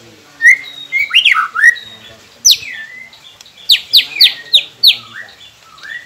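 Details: Captive-shama training song of the white-rumped shama: loud, clear whistles, some swooping down and some rising, mixed with sharp high notes. Several quick notes come in a row near the end, over faint background hum.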